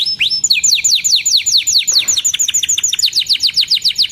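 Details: Canary in lively song used to tutor young birds: quick rising whistle, then fast series of high downward-sweeping notes, tempo and pitch shifting between phrases.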